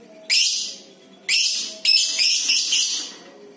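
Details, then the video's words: Lovebird from a clear tutor recording for prompting lovebirds: three harsh, high screeches, the last stretched into a longer rasping burst of more than a second. "Masteran burung LOVE BIRD suara JERNIH untuk pancingan SEMUA JENIS LOVE BIRD suara ngekekk panjang"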